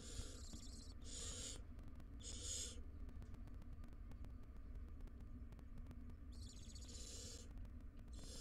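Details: At a nest box, a wild barn owl pair with their three young. Broad, rasping hiss bursts sound in pairs near the start and again near the end, with a quiet gap between, over a constant electrical hum.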